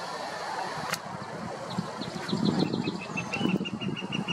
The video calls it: Chant du pic flamboyant